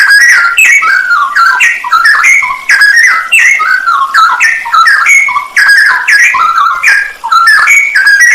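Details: Cucak rowo, or straw-headed bulbul, sings a full isian nembak masteran recording used for training songbirds: a continuous torrent of bright, bubbling whistles with sharp upward flicks, unbroken for over eight seconds.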